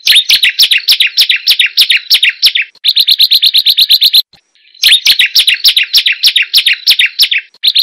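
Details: Hill prinia (Prinia superciliaris) song used as a lure to get reluctant birds singing: loud bursts of rapid, identical chirping notes, about six per second, in two-to-three-second runs separated by brief pauses.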